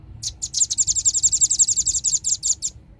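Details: Dense, fast velvet-fronted nuthatch chipping from a lure recording meant to attract birds: a near-continuous run of high sharp notes packed closely, about twenty in under three seconds, slowing slightly at the end.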